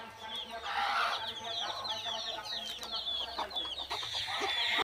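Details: Local desi chickens on a small home farm, many chicks peeping together in a dense chorus of short high cheeps, with a few lower clucks and faint background noise.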